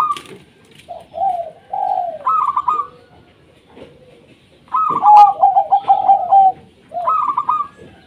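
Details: Local Indonesian zebra dove song meant to coax quiet doves into singing: short rising coos and a staccato ticking run, then a long bubbling trilled coo with fast clicks, ending on another ticking phrase.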